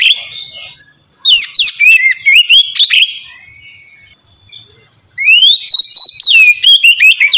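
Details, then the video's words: Relaxed ngeplong song of an Oriental magpie-robin, played to coax lazy birds into singing. Brief silence gives way to clustered sharp whistled slurs, then a softer held tone, then a long rising-and-falling whistled run. "kacer ngeplong santai ampuh buat mancing kacer malas binyi agar cepat rajin bunyi"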